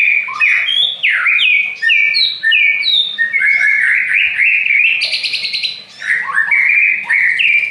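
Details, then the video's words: Aceh white-rumped shama in full song: varied rich whistles, sliding rising and falling notes delivered rapidly, with a brief harsh buzzy stretch midway before the whistling resumes. "Murai Aceh"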